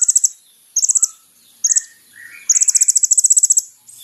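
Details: Sunbird called kolibri ninja in lively song, used as a lure to draw a response: short bursts of three to five high, rapid ticking notes, then a longer even trill of about fifteen notes.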